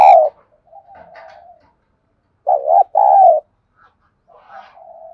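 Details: Decoy spotted dove meant to spur wild doves to coo: a loud clipped coo at the start, soft murmuring notes, then a strong two-part coo with a long hoarse second note, and faint further cooing.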